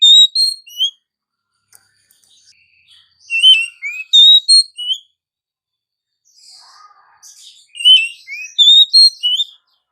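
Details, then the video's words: Oriental magpie-robin morning song of rich, varied whistled phrases with trills and slurred high notes, two main bursts separated by a quiet pause. "suara burung Kacer pagi hari"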